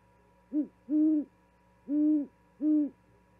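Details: Owl in Charlo, Montana, 13 February 2022, calling to its mate while delivering a vole: a short hoot followed closely by a longer one, a pause, then two more deep, steady hoots.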